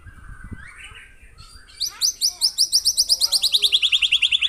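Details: Rapid 'tembakan' of a real white-rumped shama: after soft low sounds, a loud high trill of clipped notes repeats steadily, about five per second, gradually dropping in pitch.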